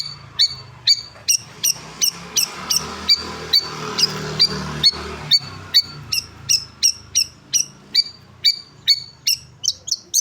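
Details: Long-tailed shrike during sunbathing, delivering a steady series of short sharp high chips, about two to three per second, continuing for ten seconds over a quiet low rumble.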